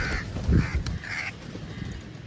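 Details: Crows calling while feeding together: three loud, hoarse caws about half a second apart, with a low thump and background rumble.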